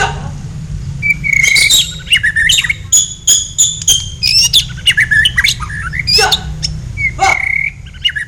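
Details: Blacktail white-rumped shama duelling with a kapas tembak for songbird tutoring; fast run of clear whistles, a long level whistled note, crisp clicks and scratchy phrases tumbling over each other, with a constant low-pitched hum beneath.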